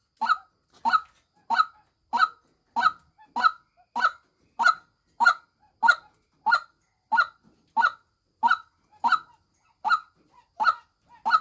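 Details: Persistent harsh croaking of a female white-breasted waterhen, around eighteen strong, evenly spaced nasal notes, each ending abruptly, with a quiet background.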